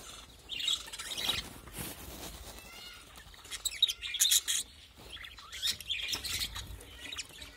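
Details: Pet birds kept in a small colony chirping: high, bright twittering notes in scattered bursts, some short rising and falling whistles in between, with soft rustling underneath.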